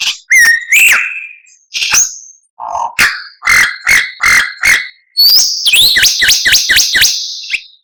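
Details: Masteran song of a white-rumped shama (murai batu), rich in varied phrases: rising whistles, a low buzzy note, steady repeated chips, then a fast series of looping whistled notes.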